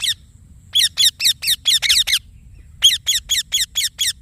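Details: Shrill harsh chirps from a green Indian ringneck parakeet: an opening run of about eight rasping notes, a silent gap, then nine more delivered evenly.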